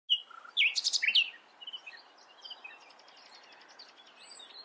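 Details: Common nightingale singing a short, loud phrase: a high whistle, then a burst of quick, rich notes lasting about a second, followed by faint twitters of other birds in the distance.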